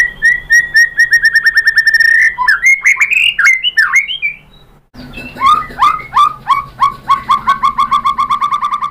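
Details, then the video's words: White-rumped shama song meant to get other shamas to answer: a steady row of repeated whistles that speeds up into varied slurred notes, a brief quiet gap, then evenly repeated downslurred whistles. "KICAUAN MURAI BATU merangsang BUNYI jadi NYAUT GACOR"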